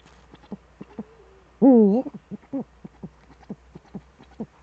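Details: Eurasian eagle-owl duet in the Eifel on 13 December 2013 at 17:25, male at the nest: one loud, low, wavering hoot that dips and rises, surrounded by many short, soft, low clucking notes.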